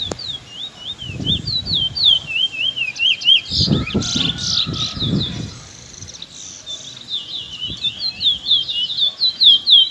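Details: Two young Trinidad bullfinches sing in the afternoon. They give fast runs of whistled, upslurred notes, about four per second, in high chirpy phrases. Soft thumps and handling knocks sound in between.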